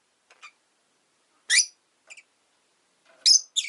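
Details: Pet rosy-faced lovebird uttering loud, piercing, harsh chirps in short bursts, a faint pair of notes first, then a strong chirp, a soft double note, and a final rapid pair; otherwise silent.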